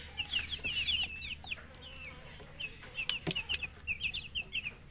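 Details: Baby chicken chicks peeping in a chorus: high, short whistled chirps, many slurring downward, crowding together in quick overlapping bursts, with a low steady hum beneath.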